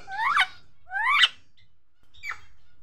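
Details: A hand-tame pet Indian ringneck (rose-ringed) parakeet talking: three raspy, rising, word-like phrases about a second apart; the first two are longer and louder, the last brief and softer.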